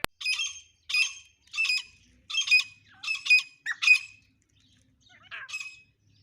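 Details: Black francolin, known as dakni teter, repeating a harsh, grating squawk roughly every 0.6 seconds, six times, before a short pause and a softer final note.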